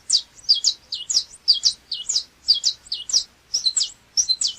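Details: Saffron finch song: a fast series of sharp, high, down-slurred chipping notes, roughly two to three per second, each clear and ringing, continuing steadily for the whole stretch with no other sounds.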